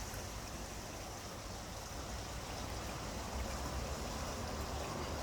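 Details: Steady broadband rushing like running water or rain, with no clear animal calls heard.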